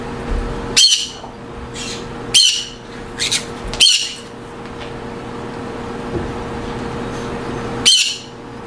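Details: Green-cheeked conures housed in breeding aviaries produce piercing harsh squawks, five or six bursts at irregular intervals, each short and rough, with a steady low hum throughout.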